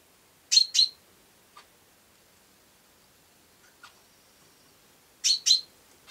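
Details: ['House sparrow giving loud, sharp chirps in two quick pairs, one pair near the start and another about four and a half seconds later, with a few faint ticks between and otherwise quiet surroundings.']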